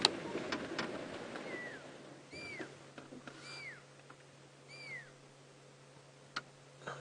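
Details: Wild fork-tailed drongo at Djuma Game Reserve, South Africa, in the afternoon, mimicking a pearl-spotted owl to chase away other birds; three clear descending whistles about a second apart, with scattered clicks and a low engine hum.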